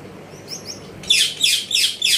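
Gouldian finch calls, four quick, thin high-pitched notes about a third of a second apart, preceded by fainter soft chirps.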